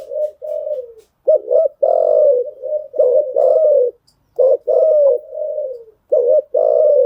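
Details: Spotted dove cooing, used as a lure to train newly caught birds: short paired rising notes followed by a long, mellow, drawn-out coo, repeated in phrases with brief silent gaps between them.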